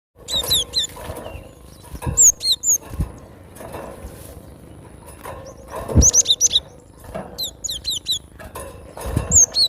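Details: Wild cinereous tit in nature, singing vigorously: bursts of sharp high whistled two-note phrases, each note sliding down, repeated in quick runs, with pauses between bursts and soft low rustling in the background.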